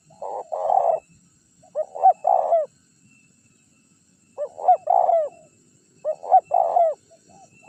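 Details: Decoy calls of a spotted dove for attracting wild birds: four phrases of low, soft coos, each with quick rising pickup notes and a fuller drawn-out note, separated by clear quiet gaps.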